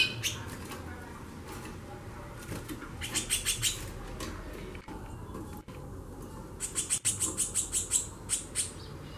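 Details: Female White-bellied seedeater calling a lot in xaxando style: two bursts of rapid, sharp, high ticking notes, the later run about eight notes in quick succession, over a low steady hum.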